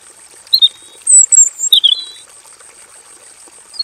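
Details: Caged robin in a simple aviary giving varied song: a short high whistle, then a thin descending whistle and a drawn-out sliding note, followed by quiet, with steady high hiss.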